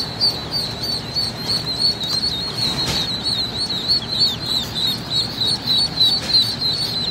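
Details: Many young Rouen ducks at a hatchery peeping together, the piercing high notes tumbling over each other in a busy, continuous stream, with faint rustling and a low machine-like hum underneath.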